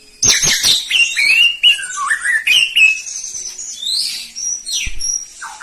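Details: Song of a white-rumped shama, Medan variety: strong varied whistles, some sliding down and some sweeping upward, ending in short high notes and a quick falling chatter.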